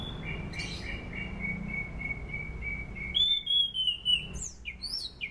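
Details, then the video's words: Sunda pied fantail as a training lure: a run of soft repeated whistles on one pitch, then a loud falling whistle, and finally rapid sharp upswept notes, with a low hum beneath. "SUARA ASLI ANIS CENDANA"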